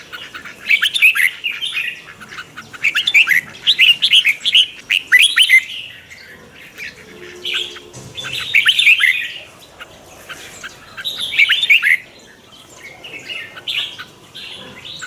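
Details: Morning training song of a red-whiskered bulbul, 'chè' chattering style meant to stir other birds: repeated phrases of bright, jerky whistled notes about every two to three seconds, with quieter stretches between, ending in a longer lull.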